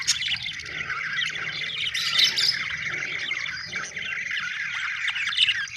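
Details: Budgie from Australia chirping, a dense stream of warbled, scratchy chatter with brief squeaks, continuous over several seconds with a faint low hum beneath.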